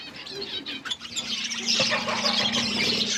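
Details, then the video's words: Flock of budgerigars eating food, a dense mass of high chirps and warbles overlapping throughout, with a steady low hum underneath and some wing flutter. "Beautiful budgies flocks birds eating food"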